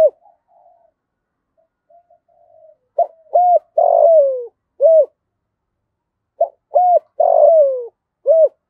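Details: Decoy spotted dove for luring wild doves: faint murmuring first, then two complete phrases about three and a half seconds apart, each of clipped note, steady hoot, long falling rough coo and rounded closing hoot.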